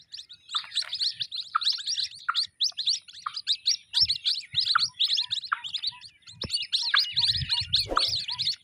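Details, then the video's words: High, thin peeping of white-breasted waterhen chicks runs almost without pause, with lower squeaky notes here and there and a low rumbling noise near the end. "Jal Murgi k bacho ki awaz|جل مرغی کے بچوں کی آواز"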